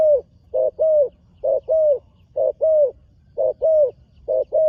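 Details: Young spotted dove in training, first time on the dirt competition ground, giving low paired coos: a short note then a longer, slightly falling one, each pair repeated roughly every second over a faint low rumble.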